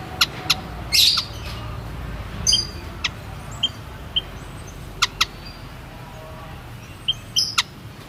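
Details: White-headed munia giving scattered short high notes and two brief buzzy bursts, mixed with sharp clicks spaced irregularly across the stretch, low steady hum underneath.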